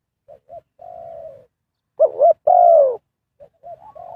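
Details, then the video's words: Spotted dove kept as a lure bird to call in wild doves. Soft short notes and a level coo lead into a wavering double note and a loud falling coo, then quiet notes resume. "Cara Pikat Tekukur memanggil Burung Liar,Bẫy cu gáy bằng mồi trồn"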